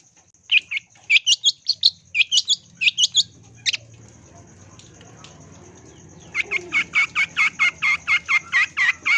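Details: Long-tailed shrike lure song for training birds: irregular sharp, slurred notes, a pause filled with low rumbling background noise, then a fast, evenly spaced run of bright chipping notes; a thin steady high tone runs throughout.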